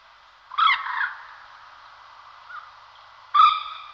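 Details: Common moorhen in La Moraña and Tierra de Arévalo, Ávila, Castilla y León, Spain, recorded 2009: two loud throaty croaking notes about three seconds apart, each followed by a brief trailing rasp, with a soft faint note between.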